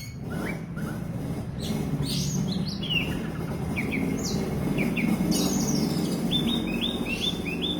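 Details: Oriental magpie-robin (kacer) singing: a string of short whistled and slurred notes, several downward sweeps and paired chirps, steady low rumble of background noise throughout.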